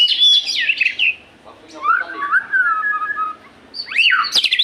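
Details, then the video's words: White-rumped shama kept in a cage, its song played to encourage other shamas to sing: rapid high warbled phrases, a long wavering mid-pitched whistle, then more quick loud sweeping notes. "pancingan burung murai susah gacor"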